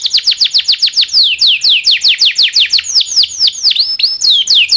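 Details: Local canary song used as tutor song for magpie-robins and other songbirds; fast series of steep descending whistled notes, speeding up, then slower upswept and looping phrases, loud and continuous.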